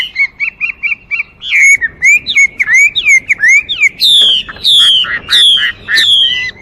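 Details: Chinese hwamei opening with a quick series of six short repeated notes, then loud looping whistles and several long, clear downslurred whistles repeated about every half second.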